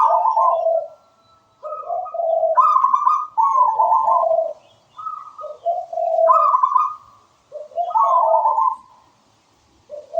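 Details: Local zebra dove in energetic song, alternating low purring coos with higher trilled notes in quick rhythmic phrases, about five phrase groups separated by short silences.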